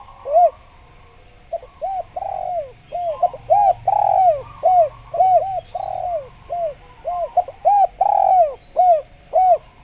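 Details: Spotted dove, a Javan bird heard as a lure for wild doves, cooing vigorously. Nearly twenty rounded coo notes run in quick succession, broken by a few longer downward-sliding notes. The background is otherwise calm.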